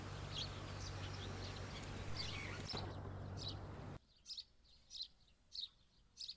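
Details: House sparrow chirping in a natural setting: short, high chirps repeated rapidly, several to a second, over a steady low hum that drops away after four seconds, leaving the chirps more isolated.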